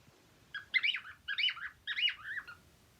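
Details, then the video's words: Happy cockatiels singing: three loud warbled phrases, each about half a second long and made of quick rising and falling whistled notes, spaced roughly every 0.7 seconds over a quiet background. "HAPPY COCKTAILS 🎶 Singing 🎶"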